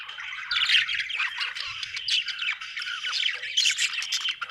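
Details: Continuous scratchy budgie chirping, busy warbles and squawks rising and falling in loudness, with a faint low rumble underneath.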